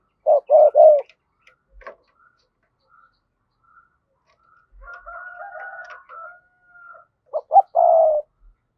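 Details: Spotted dove used as a decoy, calling in a double-voiced style to provoke wild doves: a trio of loud, low coos, a faint murmured stretch in the middle, then another quick run of throaty coos.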